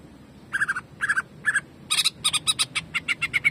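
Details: Cucak ijo, the greater green leafbird, in jamtrok song: three short triple-note bursts, then a fast volley of buzzy, harmonic-rich notes repeated several times a second, growing more rapid toward the end.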